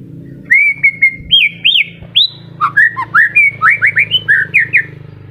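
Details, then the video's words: White-rumped shama singing during moult as new feathers come in: a long held whistle, then upward-sweeping notes and a rapid series of clear, slurred whistles, over a steady low hum. "MURAI MABUNG TETEP GACOR//PANCINGAN MURAI MACET PASCA MABUNG"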